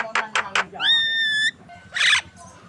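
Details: Javan myna prompting song for contest birds: three harsh rasping notes, then a held, flat, ringing whistle and a loud hoarse screech.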